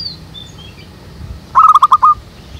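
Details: Zebra dove in a jackfruit tree behind a house, heard while training a lure for trapping doves: after quiet, one short burst of five or six rapid clipped coo notes, with faint high bird twitters early on.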